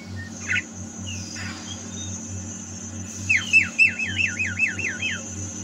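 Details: Javan myna singing, recorded at home in 2022: a few scattered whistles, then a rapid series of looping, rising-falling whistled notes, over a constant low hum.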